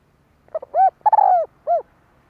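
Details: One full 'kích bổi' phrase from a spotted dove, a call for exciting decoy birds, 2023: two quick soft notes, an arched coo, a long slurred falling coo, then a last rounded coo.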